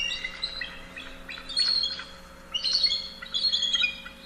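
Bald eagle giving high, thin chirping notes in quick stuttering bursts, about three short series over four seconds, over a faint steady hum.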